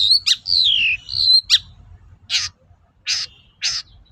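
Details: Long-tailed shrike song used to bait other shrikes into answering: smooth whistled notes gliding downward, mixed with sharp clicks, followed by three widely spaced harsh rasping bursts.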